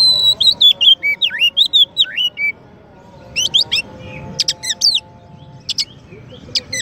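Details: White-rumped shama, a champion bird used as a master song for training another bird, gives fluid whistled phrases that swoop up and down, then sharp ticking notes and short bright calls with gaps.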